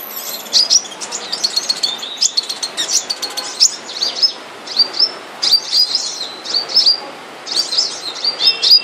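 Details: Captive flowerpecker, kept as a cage bird and in moult, giving high, thin chirps and short whistled notes in quick bursts. Some notes rise sharply, with brief pauses between phrases.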